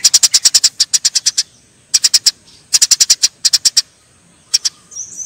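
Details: Fighting Eurasian tree sparrows. A fast string of about thirteen high chirps is followed by groups of four or five and a final pair, with a faint thin note closing the clip.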